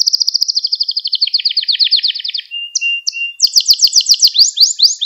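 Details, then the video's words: Gloster canary song meant to stimulate and train other canaries: a long pulsing trill slowing over two seconds, a quiet whistle, then sharp bright chirps in quick succession. "Gloster Kanarya Sesi Ve Ötüşü | Kanarya Huylandırma | Kanarya Kızıştırma"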